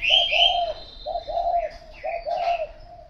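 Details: A spotted dove gives three low coo phrases, each a brief note followed by a longer, slightly falling coo, about one second apart. Higher chirping birds are heard in the background.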